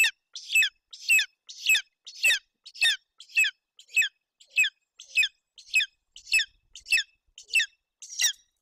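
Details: Golden eagle eaglet at its nest in Bucovina, Romania, on 8 June 2021, hungry with an empty crop while its mother feeds it roe deer fawn: sharp, high descending squeals repeated steadily, about one every half second.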